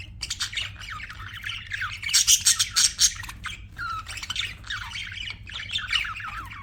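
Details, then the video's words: Budgies chirp in rapid, clustered squeaky notes, a loud run of sharp chips in the middle, then more rolling warbled chatter. "BUDGIES CHIRPING SOUND"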